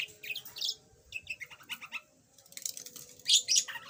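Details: Yellow budgerigar kept as a pet, formerly mute and now chattering a little, giving soft scratchy chirps and a quick series of lower burbled notes, then a louder buzzy squeak near the end.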